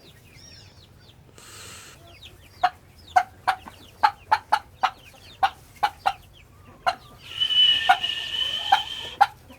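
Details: Domestic turkeys, raised and bred at home, give a string of short, sharp clucks, spaced unevenly about half a second apart, with a brief harsher burst near the end.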